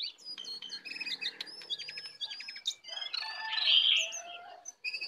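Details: Wild Oriental magpie-robin approaching to attack, delivering rapid high chips and stuttering whistled notes that lead into a louder rich warble and a few clear whistles.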